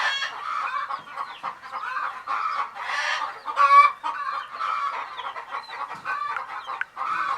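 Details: Hen's baby chicks, drowsy and sleeping, give short bursts of thin peeps separated by brief quiet gaps, with one louder, sharper cheep near the middle amid the gentle chorus.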